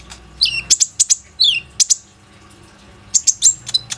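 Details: Plain-throated sunbird singing to prompt other sunbirds to call, phone recording: quick high chips mixed with short downslurred whistles, two clusters separated by a brief pause.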